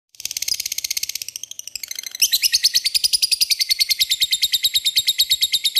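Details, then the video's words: Lovebird lure call meant to draw a response from rivals: a long, fast, buzzy chattering trill, high-pitched and pulsing several times a second, rising in intensity after two seconds and continuing steadily to the end. "Pancingan lovebird mudah di respon lawan memanggil lawan ngeekek"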